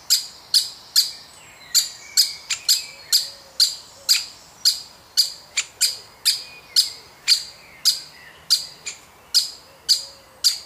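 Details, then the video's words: Woodpecker chick being fed within a woodpecker family: harsh, sharp squawking calls with a bright high edge, repeated rapidly about twice per second, fairly steady for the whole stretch, over quiet background. "Baby Woodpecker Being Fed"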